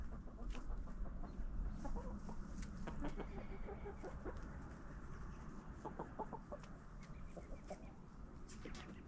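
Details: Backyard flock pecking at a fall jack-o'-lantern pumpkin; scattered short clucks and pecking clicks over a low, rumbling background.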